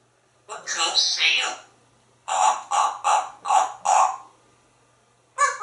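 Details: Talkative African grey parrot living in a Texas home, mimicking animal sounds such as dogs, monkeys, seals and grackles. A harsh, drawn-out squawk is followed by five hoarse, caw-like notes in quick succession, then another note begins.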